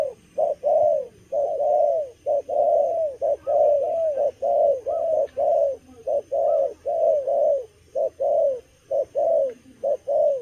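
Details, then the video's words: Young spotted dove cooing eagerly while moulting, a stuttering cà lăm style song: steady series of short, mellow, mid-pitched coo notes, roughly one per second, in quick clustered pairs and triplets, with faint steady background hum. "Bổi tơ gù cà lăm lỡ, đang mùa thay long mà quá hăng"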